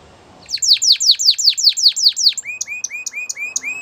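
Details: After a moment of soft background murmur, a canary delivers about ten loud, evenly spaced down-swept notes, then switches to a row of shorter, quieter upslurred whistles.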